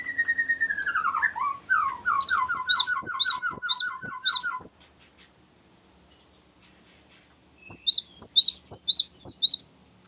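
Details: Cinereous tit giving a long rolling song used to lure wild birds and to tutor songbirds: a falling slurred whistle, a fast run of lower notes, then sharp high repeated notes in two bursts around a silent gap.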